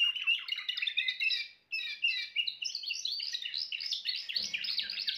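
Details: Timbrado canary song: fast rolling trills and chattering notes in an unbroken stream, a brief pause near the second mark, then rising, bright trilled phrases; a faint low hum late on.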